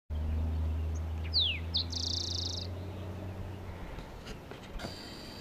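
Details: Green-tailed towhee (Pipilo chlorurus), song.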